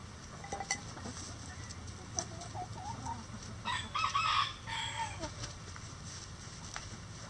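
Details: Rooster in a coop crowing at a distance: a short burst of harsh, harmonic crowing in the middle, surrounded by scattered clucks and scratching sounds from the flock.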